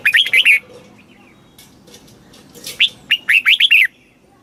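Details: Caged red-whiskered bulbul in Thailand, southern master-style song used to stimulate birds and teach young birds: two bursts of four to six loud warbled notes, a short lead note then quick rising and falling phrases, separated by a quiet pause.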